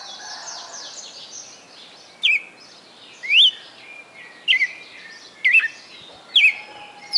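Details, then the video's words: Song of a captive Red-cowled cardinal in Fortaleza, Ceará, Brazil: after a quiet opening with soft distant chirps, five bright whistled notes follow, each a short rising or looping slur about a second apart. "Galo de Campina "o canto perfeito""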